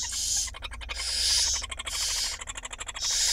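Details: Night feeding of five barn owl chicks by the female in a camera nest box in Israel, April 2021: long loud hissing screeches alternate with quick trains of dry clicks.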